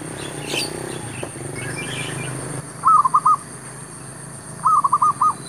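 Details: Zebra dove calling as a decoy to attract wild doves in a shop area. Two rapid runs of four or five soft, bubbling coo notes follow faint earlier background noise.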